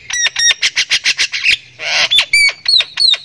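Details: Caged Javan myna of Thailand in full song, able to cackle like a laughing person: a quick run of harsh rasping notes, a noisy burst, then ringing whistled notes that drop in pitch.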